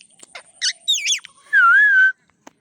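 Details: Pet parrot talking with its owner, producing a quick series of clicks and short warbled notes, then a clear, sustained, gently wavering whistle lasting about half a second.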